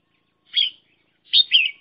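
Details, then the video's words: Decoy red-whiskered bulbul for trapping: two quick warbled chirps, the second a double note, bright and slurred, separated by half a second of silence. "Tiếng chim chào mào mồi"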